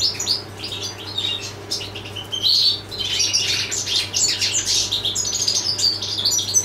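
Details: European goldfinch in sustained, lively song: chattering twitters and jangling high notes that grow denser midway, over a persistent low hum.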